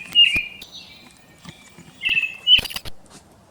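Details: Brown-headed thrush call taken from a field guide recording: thin, high, drawn-out whistled notes, several short ones around two seconds apart, with faint clicks and light background hiss.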